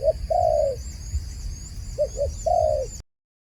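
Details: Dove calling with soft, low cooing: a short note, a long drawn-out coo sagging at the end, two quick short coos, then another long coo, all within three seconds, over a low rumble and a faint steady high-pitched whine.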